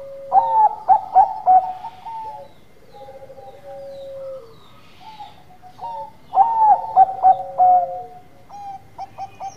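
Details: Vigorous song of a Bangkok perkutut zebra dove, two full phrases: each opens with loud, clipped, jerky notes, then long even whistled coos sliding lower, with a pause between phrases.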